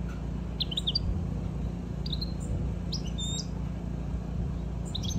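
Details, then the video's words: European goldfinch uttering short, sharp high chirps in small clusters of two or three, spaced about a second apart, against a constant low hum. "European Goldfinch stimulation effective - Carduelis call- Beautiful Bird Chirping"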